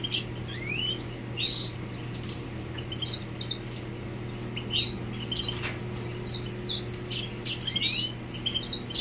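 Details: Male Grey Singer singing to the female, with scattered high twittering phrases and a few rising whistles separated by short gaps, over steady background hum.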